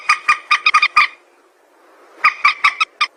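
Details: White-breasted waterhen used as a lure for trapping, giving a quick series of harsh, croaking notes, a silent gap of about a second, then another rapid burst.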